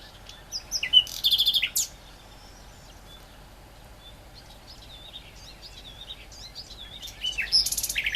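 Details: Great reed warbler delivering a short, loud run of grating, buzzy notes, then falling quiet before a second phrase of rapid repeated scratchy notes, with faint birdsong behind.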